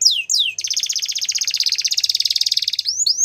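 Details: Belgian canary singing, used for canary song training: two sweeping descending whistles, then a long rapid trill of pulses repeated about three per second, ending in short rising whistled notes.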